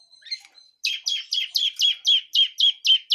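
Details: Long-tailed shrike from the wild, blangkon type, in full-fill song: a thin whistle and soft notes, then a fast steady series of about ten bright, down-slurred chirps, roughly four per second.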